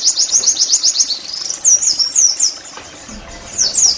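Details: Caged Oriental white-eye song as a singing aid: a quick high trill for the first second, then spaced, loud looping whistled phrases, a quieter gap near three seconds, and one more phrase at the end.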